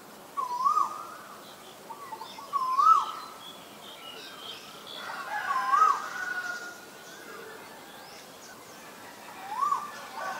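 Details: Male Asian koel calling four times, each a short upswept whistle spaced a couple of seconds apart, fairly soft against a noisy background with faint other bird sounds.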